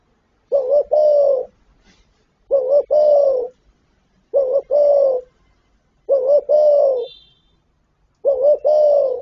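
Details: Spotted dove, its call set including gáy gọi, thúc and gù: five evenly spaced low coo phrases about every two seconds, a rapid two-part stutter opening each before a held hollow note.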